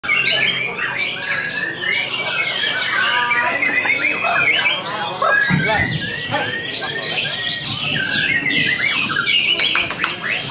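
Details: A caged white-rumped shama, a competition bird, sings just after its moult: a loud, fast run of varied whistles, trills and harsh chattering phrases, with other birds and faint voices in the background.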